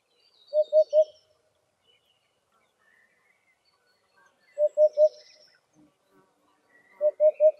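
Eurasian Hoopoe giving soft, low hollow triple hoots, "oop-oop-oop", repeated about every two to three seconds, with faint high chirps from other birds.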